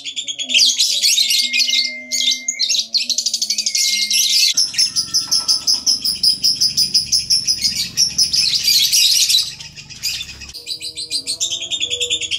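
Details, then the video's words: Extended lovebird ngekek trill played to make other lovebirds sing: loud, dense, rattling high chatter with fast repeated notes, brief gaps, a stretch of low rumbling noise midway, and faint low tones. "PANCINGAN LOVEBIRD NGEKEK AMPUH TERBARU"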